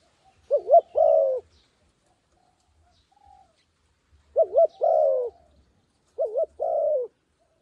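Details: Decoy dove calling to lure wild doves down: three cooing phrases, each a quick double hooting note followed by a longer, drawn-out falling coo, spaced a few seconds apart, with faint low thumps between them.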